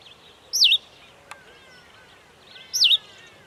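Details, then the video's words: Two bright, wavering chirps from a Cape sparrow, about two seconds apart, with a single sharp click between them. "Cape Sparrow"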